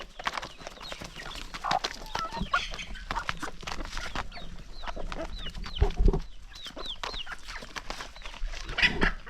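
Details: Flock of hungry chickens at morning feeding on a countryside farm; many high, curving chirps and clucks repeated quickly amid constant pecking and rustling.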